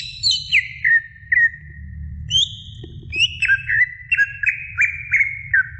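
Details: Greater green leafbird song used as a tutor recording for other birds: clear descending whistles followed by a run of repeated slurred notes dropping in pitch, with a low background hum.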